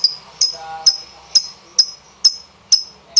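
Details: Single sharp, high lovebird chirps repeated about every half second, from a lure recording meant to prompt other lovebirds to sing; faint murmur of people beneath.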